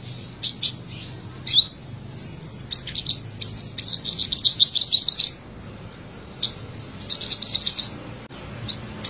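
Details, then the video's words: Olive-backed (black-breasted) sunbird, subspecies Cinnyris jugularis buruensis of Buru, South Maluku, singing vigorously: high, thin twittering phrases of rapid sharp chips and trills in bursts of one to two seconds, with brief pauses. "Kolibri Sriganti Trotolan Dada Hitam gacor"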